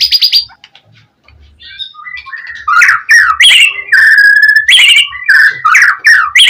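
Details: Fighter-style gacor song of a white-rumped shama, played to provoke rivals: a short high burst, a brief quiet gap with soft notes, then loud varied whistles, slurs and a long level whistle.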